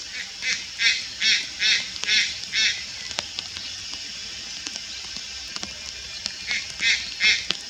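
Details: Juvenile Malayan night heron recorded on 4 August 2022 at Lugu, giving harsh, rasping, noisy bursts in a quick series of about six, roughly every 0.4 seconds, then a pause and a few more near the end.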